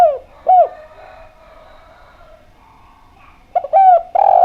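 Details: Spotted dove of the Javan kind singing clearly. Two falling coos open, a soft gap with faint distant twitters follows, then a quick stutter of notes leads into long, steady coos.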